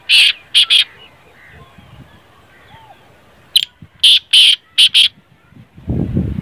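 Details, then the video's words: Black francolin giving loud, harsh, grating notes in two bursts: a quick run of three, a pause of about three seconds, then a tighter run of five, over a quiet background with a low rumble at the end. "Kala teetar ki awaz"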